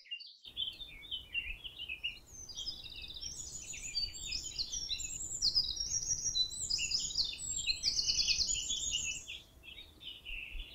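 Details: Canary singing a long, continuous song of rapid, high trills and rolling chirped phrases, dense and bright throughout, over a steady background hiss.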